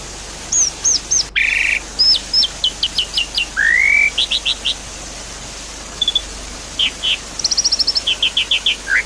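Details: Lure song of a Javan pied starling for a caged bird that has gone quiet: high clipped whistles in quick groups, a rising slurred whistle, a harsh burst and rapid trilled series, with constant water noise behind.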